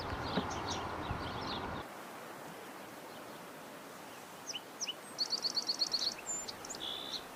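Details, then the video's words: Crowned warbler giving a short burst of about eight rapid, evenly spaced high notes. Scattered chips and a buzzy note come from other birds, and low noise opens the recording. "La Reinita Coronada"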